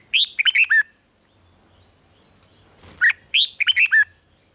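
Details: Song of a red-whiskered bulbul, played in Thailand to excite caged birds: two quick phrases of four or five cheery, slurred whistled notes with a short rustling noise between them.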